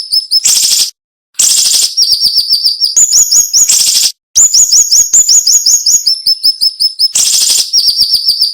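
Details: Tutor song of a cinnamon-bellied flowerpecker, in a sharp 'nembak' delivery with short pauses. Very high, quick downslurred chips come in rapid trains at two or three pitch levels, interspersed with hissing, buzzy outbursts.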